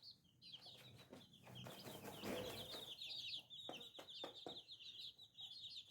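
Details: Little chicks peeping continuously, with rapid high thin chirps overlapping one another and a louder, busier stretch in the middle with some low clucking.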